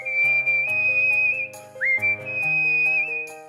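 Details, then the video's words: Pet cockatiel whistling Let It Go: a long, steady, bright whistled note that breaks into a quick rising swoop and then resumes. Instrumental music plays underneath in changing chords. "ASSOBIO CALOPSITA - FROZEN LET IT GO- COCKATIEL WHISTLE"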